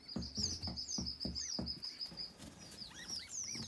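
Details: Young white eared pheasants cheeping in quick high notes over a run of regular dull tapping or pattering sounds.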